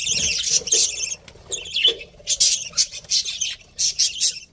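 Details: Breeding pair of pet budgies calling in loud scratchy chirps at the start, then a string of separate short squawky chirps about every half second.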